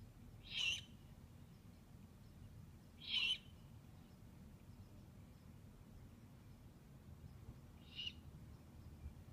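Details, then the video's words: Owlets calling, recorded on 2/11/15: three short hoarse, hissy bursts, two strong ones about two and a half seconds apart, then a fainter one near the end, over a low background hum. "Owlets 2/11/15"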